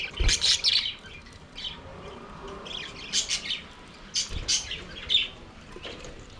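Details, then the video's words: Budgerigars singing and playing in an aviary give clusters of squeaky chirps and scratchy warbles in bursts with gaps between, plus occasional low knocks. "Budgies singing and playing in their Aviary"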